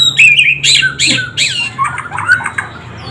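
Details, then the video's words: White-rumped shama singing loudly and energetically, a rich run of varied whistled and warbled phrases, some slurred and rising, others scratchy, delivered in quick bursts over about three seconds with a faint low hum in the background. "BURUNG MURAI BATU GACOR"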